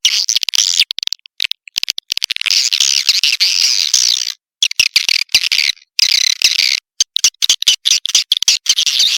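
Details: Swiftlet lure sound in the Tombak Raja style, played to attract swiftlets: dense, buzzy high twittering chatter broken by rapid clicking stutters and several brief silences.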